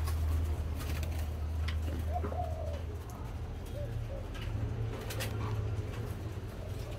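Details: A caged spotted dove wearing two plastic leg rings gives a few soft, low coos on the evening of 12 November 2021, partly buried under a man speaking and a steady low hum.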